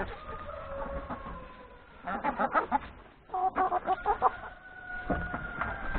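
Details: Chickens, including three roosters, breakfasting in the yard ahead of grazing in the forest; a low background of murmuring hens, broken by two bursts of quick, rhythmic clucks in rapid succession.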